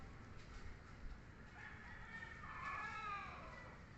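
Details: Mother hen in a roll call of hens gives a drawn-out, nasal call that swells and then fades over about two seconds, over a low background rumble.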